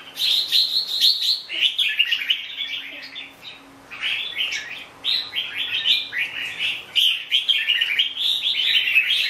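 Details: Red-whiskered bulbul (chào mào bông) pouring out long strings of quick, sweet warbled notes. The strings are broken by a few short pauses, and a steady faint hum sits underneath.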